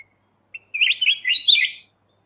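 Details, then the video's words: One continuous rolling, warbled phrase of just over a second from a Kutilang emas mata putih bulbul, made as a training master for songbirds, clean against silence. "suara masteran Kutilang emas mata putih"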